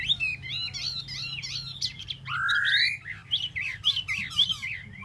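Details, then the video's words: Tieu mi bird singing solo: a rapid run of varied, twisting whistled notes around high pitch, a louder rising slurred whistle midway, then more quick chattering phrases; faint low hum underneath. "Tieu mi de ban choi solo"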